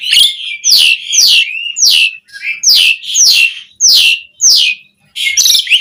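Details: Asian pied starling (jalak suren) singing vigorously with a varied fill-in style, as tutor material for captive starlings: loud, buzzy, downslurred notes sweeping from high to lower pitch, repeated in quick bursts with brief gaps.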